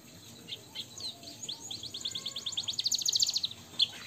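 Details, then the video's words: Canary tutor song with blackthroat and sanger fill, over a hissy background: scattered high notes build into a fast, even series of sweeping notes, ending with a few clear chirps. "suara burung kenari gacor isian blackthroat dan sanger untuk masteran"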